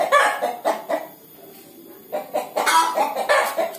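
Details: Clucks from a hen about to lay, a few harsh notes, a quiet gap of about a second, then another burst of rapid cackling.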